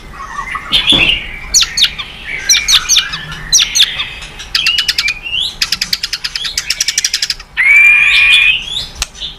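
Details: Very vocal White-rumped shama singing, recorded to spur other birds into song: bright whistled phrases, a fast series of dry clicking notes around six seconds, then a long, clear, slightly rising whistle.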